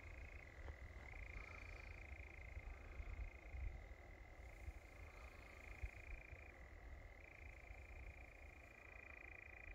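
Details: European nightjar churring steadily on Wiggonholt Common, a sustained purring trill switching between two close pitches every few seconds, over a constant low rumble.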